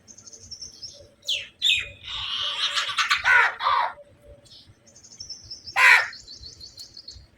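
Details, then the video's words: Crows give harsh, raspy caws in a dense burst, then a single loud squawk, with thin, high whistled trills from smaller birds behind them; a flock, fighting crows, crows calling other crows. "crow call to attract crows /Flock of crows sound effect/fighting crows sound"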